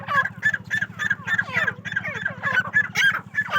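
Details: Captive female grey francolin from a Pakistani farm chattering in quick, throaty notes, about three per second, with a constant low hum underneath.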